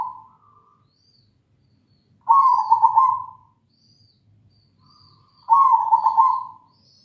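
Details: Singing local zebra dove giving two long trilled coo phrases about three seconds apart, each rolling and slightly wavering, with quiet pauses between and faint thin high whistles in the background.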